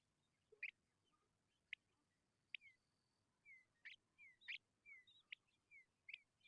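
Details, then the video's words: Begging Tawny pipit nestlings, hungry: scattered sharp buzzy bursts, then a quicker run of rasping calls with falling whistled notes between them toward the end. "Tawny pipit bird babies are very hungry"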